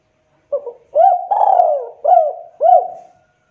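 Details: Lure recording of a spotted dove meant to draw in other doves; a single cooing phrase of five mellow notes, a soft opener, an upswept coo, a long falling coo, then two looped coos.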